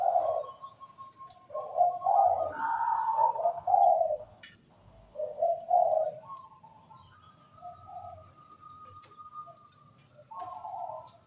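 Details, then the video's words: Zebra dove (perkutut) in active, melodious song: a run of rapid, rolling low coos of uneven loudness, a long thin level note, then more coos, with occasional high chirps from other birds in the background. "PERKUTUT GACOR SUARA MERDU MENGGEMA"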